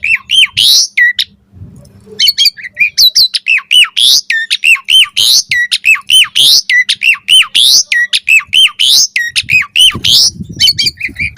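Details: Asian pied starling singing to prompt other starlings to respond: a dense stream of loud squawky and whistled notes, repeated hooked down-slurs and bright rising bursts, briefly pausing near the start, faint low hum beneath.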